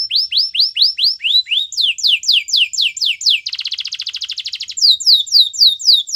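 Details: Canary singing to encourage other canaries: repeated curved whistled notes about four per second, a dense buzzy trill in the middle, then the sweeping notes return.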